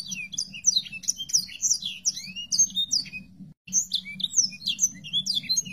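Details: Sanger song used as master audio for training songbirds to imitate it: a fast, unbroken run of high, sweet chirps and slurred twitters over a steady low hum, briefly cut partway through.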